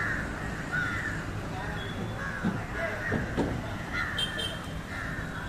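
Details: Harsh, hoarse caws from an Indian jungle crow (Corvus culminatus) feeding on fish, repeated roughly once a second, over a steady low rumble of traffic and faint voices.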